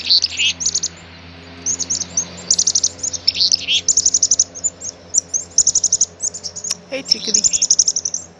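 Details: Black-capped chickadee calling repeatedly: high sharp chips in quick clusters mixed with occasional short, descending buzzy notes, a brief knock or thump near the end, and a low steady background hum throughout.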